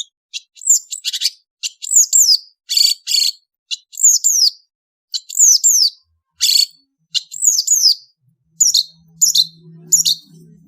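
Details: Indonesian long-tailed bird singing on an afternoon: bursts of high, sharp downslurred whistled notes and scratchy chirps in quick clusters, separated by brief pauses, with a faint low hum near the end.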